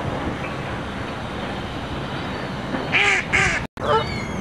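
Wood duck giving a few short, squealing calls with rising and falling notes near the end, over a steady hiss of wind or water.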